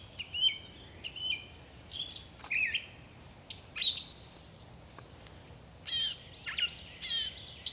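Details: Gray catbird singing from a bush: a varied jumble of short, scratchy and squeaky phrases, some with quick down-slurred whistles, delivered in bursts separated by brief pauses, over faint background noise.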